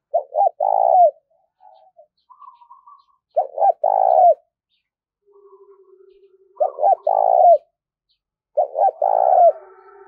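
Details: Spotted dove used as a lure bird, called a four-note singer, cooing to attract others. Four phrases of clipped short notes ending in a long, rolling, slightly falling coo, separated by quiet gaps with faint soft murmurs.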